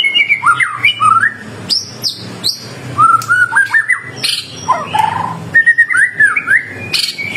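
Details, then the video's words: Lure song of a white-rumped shama, meant to make other shamas answer: varied clear whistles in short phrases, rising and falling slurs, some high sharp notes, broken by short gaps over a low background hum. "Burung murai gacor ampuh buat pancingan murai batu langsung bunyi nyaut"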